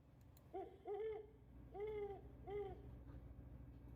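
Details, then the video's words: Great Horned Owl, locally called hoot owl, caught on a trail camera in the East Tennessee foothills of the Great Smoky Mountains, gives four hollow, mid-pitched hoots, a quick pair then two longer notes, over a steady low hum. "That's a Great Horned Owl my friend. We call the hoot owls."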